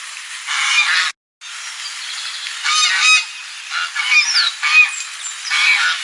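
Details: Goose calling on a lagoon: a series of harsh, nasal honks rising and falling, with a brief silent gap early on, then louder bursts of honking near the end, over steady background hiss.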